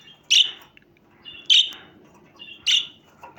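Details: Budgerigar calling: three loud, sharp chirps, each followed by a brief softer twitter, spaced about a second apart over a steady low background hum.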